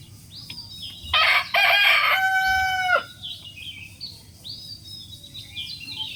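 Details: Rooster crowing: a loud, harsh opening burst followed by a long, level, strongly harmonic note lasting about two seconds, with thin high chirps of small birds before and after.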